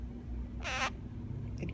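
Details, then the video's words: Pet half-moon parakeet, which likes being pampered, gives one quick, sharp, hissing sneeze over a steady low hum, with a few faint clicks just after. "Parakeet sneezes!"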